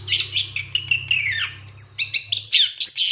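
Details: Captive-training master song of a long-tailed shrike: a run of warbled notes sliding downward, then high thin whistles and bright staccato chirps, with a steady low hum beneath.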